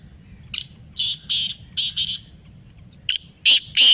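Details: Black francolin, called kala teetar, calling in answer to a played call: harsh, grating notes in two bursts, three rasping notes, a pause, then four sharper notes, over a low background rumble.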